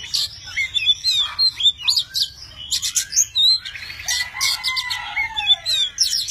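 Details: Singing tame Oriental magpie-robin, wings and tail spread in display; crisp high whistles and chips in short bursts, then a long, lower, drawn-out descending whistle, with more bright notes at the end.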